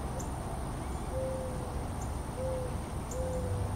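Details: Mourning dove calling to attract a mate, chest puffing up as it calls: soft low, drawn-out hooting coos, three in a few seconds, over steady background hiss and rumble.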